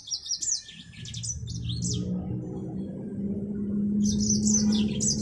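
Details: Mozambique finch, the yellow-fronted canary, giving rapid high warbled notes for two seconds, then a pause filled by a steady low rumble before the twittering resumes.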